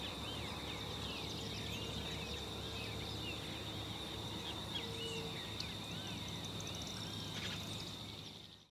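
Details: Field Flicker (Campo Flicker) at San Ignacio, Misiones, Argentina gives rapid, overlapping series of short arched notes, several per second, over a steady high insect whine and low rumble.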